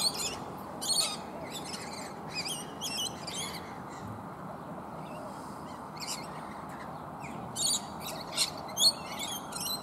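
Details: A large group of rainbow lorikeets takes nectar from bottlebrush flowers up a tree, with one other bird among them. Scattered shrill, scratchy shrieks break out in short bursts, with a quieter lull midway and a cluster near the end.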